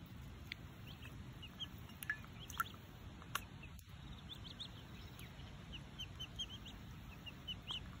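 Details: An orphaned wood duckling in care, having its first bath in a shallow drinking dish, gives thin, high peeps in quick, scattered bursts over a steady wash of splashing water.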